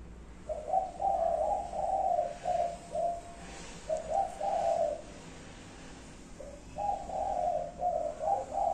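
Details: Repeated five-note cooing from a spotted dove, several low, rounded coo phrases separated by brief gaps, steady and mellow with light background hiss.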